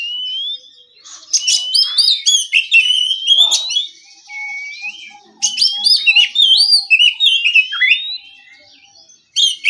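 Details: Relaxed ngeplong song of an oriental magpie-robin at morning, meant to get rival birds to respond. Two long bouts of rapid looping whistles and twitters, separated by a pause filled with soft, regularly spaced low notes.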